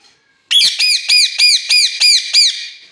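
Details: Angry parrot fighting with its keeper; eight loud harsh squawks in a steady rapid series, each a high arching screech about a third of a second apart.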